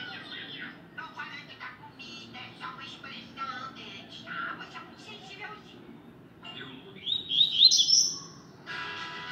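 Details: Rusty-collared seedeater delivering its tui tui song: quick runs of chirpy, buzzy phrases with short gaps, ending in a louder high sharp flourish.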